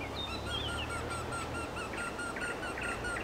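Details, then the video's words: Eurasian wryneck singing: a steady series of nasal, slightly falling notes repeated a little over twice per second for the whole stretch, with thin high chirps of other birds above and a low steady hum underneath. "Вертешейка поет 4K | Wrynech singin 4K"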